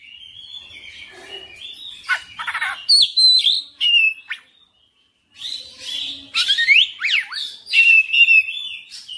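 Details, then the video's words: Energetic, full-repertoire singing from an oriental magpie-robin: sweet whistles, rapid trills and steep sweeping notes in dense phrases, a brief half-second silence midway, then renewed loud varied whistling. "KACER NGOTOT GACOR FULL BONGKAR MATERI"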